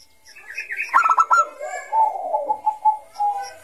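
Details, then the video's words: Bangkok-type zebra dove singing in 'gacor ngayer' style, a lure for young doves: a rapid rolling stutter of higher notes gives way to a steady string of soft, evenly spaced coos. "Suara Burung Perkutut Bangkok Gacor Kutut bangkok Gacor Ngayer ini cocok Untuk Pancingan Kutut MUDA"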